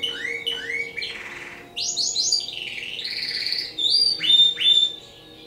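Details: Timbrado canary from a breeder in rich song: repeated upslurred whistles, a short buzzy rattle, then sustained warbling rolls and bright ringing notes, over a faint constant low hum.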